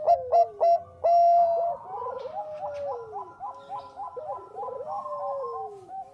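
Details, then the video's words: Bangkok-type zebra dove singing actively, used as a lure to prompt other doves to sing; short staccato coos repeated quickly, then a long steady note and lower sliding, bubbling phrases, with further dove voices overlapping behind. "SUARA PERKUTUT BANGKOK GACOR AMPUH UNTUK PANCINGAN"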